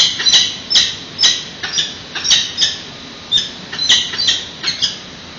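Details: Peregrine falcon young calling for food as they are fed at a San Francisco nest, 8:35 am, 13 June 2017, webcam recording: steady series of loud, grating, high-pitched squeals about three per second.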